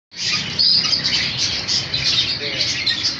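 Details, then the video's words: A pair of rose-ringed parakeets gives dense, high chattering chirps and shrill squeaks that run almost without pause for about three seconds, over a faint low hum in the background. "Ring naik parrot 🦜🐦 pair"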